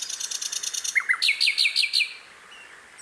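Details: Sikatan londo heard in the wild: a rapid high trill, then two lower whistled notes and a series of five descending slurred chirps, followed by quiet.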